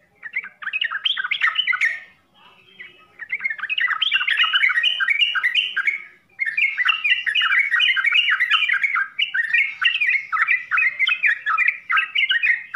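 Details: Yellow-vented bulbul, locally trucukan, giving full-isian song. Bursts of fast chattering warbles are split by two short silent gaps, then a long sustained run of quick slurred notes.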